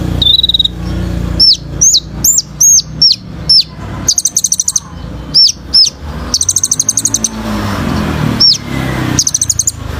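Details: Kolibri ninja (sunbird) in lively song used as training material for birds, full of rapid 'tembakan' bursts: sharp high downslurred whistles alternating with fast metallic chip trills, plus a thin level whistle at the start.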